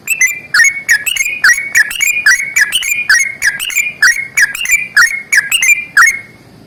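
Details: Long, unbroken fighting song ('ropel panjang') of a yellow-vented bulbul: an almost non-stop stream of quick, liquid, warbling whistles, each twisting up or down, over about six seconds, with faint background hiss.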